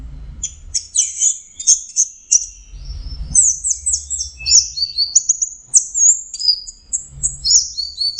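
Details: Full 'teler' song of an Orange-headed thrush: a rapid, dense medley of very high chirps and whistled slurs running almost without pause, over a soft low background hum.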